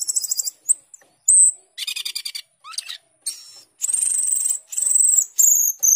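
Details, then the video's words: Asian glossy starling in full song, a lively, varied run of high thin whistles, buzzy chattering bursts and quick trills in short phrases with brief pauses. "cucak keling gacor teler atau jalak keling gacor teler"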